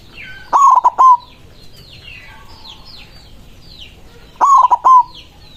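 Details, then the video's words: White zebra dove in full voice, said to call out rivals with an emotional cooing song, gives a clipped stuttering coo phrase twice, about four seconds apart, with faint twittering birds behind. "Perkutut putih gacor suara besar ampuh memanggil lawan bunyi emosi manggung"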